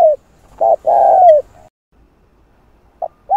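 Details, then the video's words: Spotted dove, played to stir wild doves into calling: a short low coo, an arched coo, then a long rough purring note curving down at the end. After a pause the phrase begins again. The background is otherwise quiet. "Cu Gáy Giọng Hạp Bổi Đủ Bài [ GÁY GỌI + THÚC + Gù ] Kích Cu Gáy Bổi Gáy"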